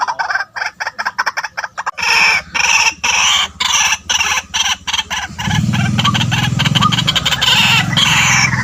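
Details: White-breasted waterhen calls used as a lure for bird trapping: harsh, clucking notes in a quick irregular series, growing into loud, dense, almost continuous calling, over a low steady rumbling background.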